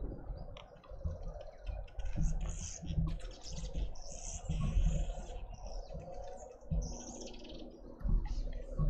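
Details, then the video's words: Red-billed woodhoopoe family making a commotion in a Pretoria suburban garden, South Africa; continuous high, scratchy chattering notes run through the whole stretch in uneven bursts, with a deep background rumble underneath. "Red-billed woodhoopoe family causing a commotion."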